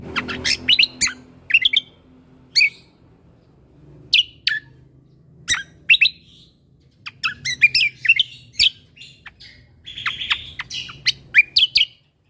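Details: Lesser green leafbird singing nonstop in 'mentalan' style with shot-like 'tembakan' notes, as a master recording for tutoring birds: bursts of sharp, clipped chirps and slurs, pausing briefly, then a dense rapid jumble of high notes near the end.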